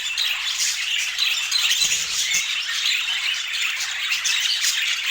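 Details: Several budgerigars feeding on a daily healthy food routine, giving steady high warbled chirping and squeaky chatter throughout, overlapping voices without a break, with a faint low thump near the middle.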